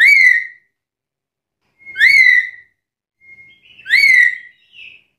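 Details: Black-capped lory calling loudly to challenge rivals, giving three ringing whistled notes roughly two seconds apart, each rising then falling, with a short thin whistle before the last and a soft trailing note after it.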